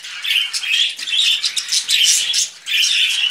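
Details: Budgie brothers on a hand produce loud, harsh chattering bursts, each lasting about half a second, separated by brief pauses.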